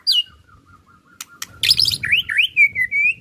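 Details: Lure recording of White-rumped shama ketrekan song, meant to prompt other shamas to unload their repertoire. A high whistle, soft notes and clicks, a dense burst of sharp chirps, then rolling whistled phrases.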